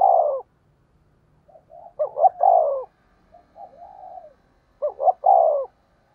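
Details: Spotted dove decoy call to bring in wild doves, with loud falling coos separated by soft murmured notes and pairs of short clipped notes, repeated about every three seconds.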